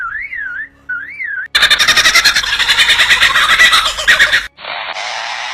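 Superb lyrebird mimicry: a siren-like whistle wavering up and down, then a harsh mechanical rattle of about four bursts a second, ending in buzzy, static-like noise.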